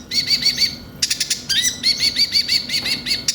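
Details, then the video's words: High trilled song of Van Hasselt's sunbird (konin) as a lure: evenly repeated curved whistled notes, broken by a burst of sharp chips, then the rolling trill resumes. "Pancingan suara burung konin bahan cepat gacor"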